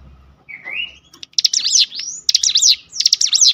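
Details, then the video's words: Cinereous tit provoked to sing by a lure recording. A long rising whistle is followed by rapid high, buzzy zigzag trill phrases and another sweeping upslurred whistle. "spontan emosi Cigun manapun langsung gacor dengan pancingan ini"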